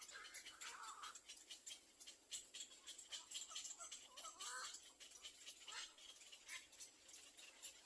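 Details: Little black cormorant chicks begging while waiting for their mother to feed them; faint squeaky, wavering calls near the first and fifth seconds over a dense hiss of rapid high ticking.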